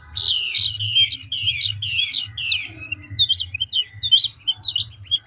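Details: Five loud, harsh buzzy phrases from a big mature Chinese hwamei ('ngũ trường' type), then a string of short, quick whistled notes as the song keeps changing, with a low hum underneath.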